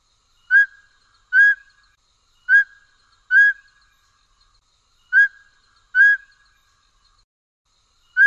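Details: Mountain scops owl of the Taiwan endemic subspecies Otus spilocephalus hambroecki giving clear, mid-pitched whistled notes in pairs, the two notes about a second apart, each pair repeated roughly every two and a half seconds; three full pairs and a final note over a silent background.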